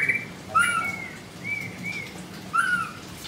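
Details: A white-rumped shama in a cage at a bird shop in Kemayoran, Jakarta, Indonesia, sings energetically. Rich, mellow, slurred whistles come in short pairs, with a faint hum in the background.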